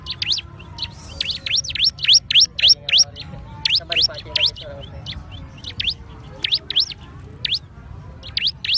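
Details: High thin chipping song of the bar-winged prinia, fast repeated swooping notes in clustered bursts, with faint lower tonal notes and constant low background noise.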